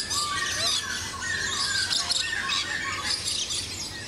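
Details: Macaws of several colours, including scarlet, give harsh, drawn-out squawks with layered tones, some rising and some falling, under a constant high shrill chorus of small birds or insects outdoors.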